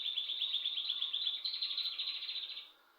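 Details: A continuous, fast, high-pitched trill from a bird kept at home lasts over two and a half seconds, then fades away.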